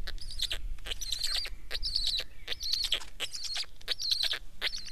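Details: Black stork producing repeated scratchy, hoarse bursts carrying a high, warbling whistle, fairly loud and frequent, with low rumbling noise underneath.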